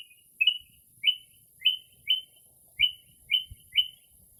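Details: A mockingbird mimicking other birds late at night in early spring gives a steady series of rising, whistled slurred notes about every half second in a quiet rural-sounding night.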